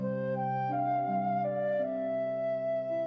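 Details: Soft flute melody of long held notes, slowly stepping between pitches over a low sustained accompaniment, with no animal voices.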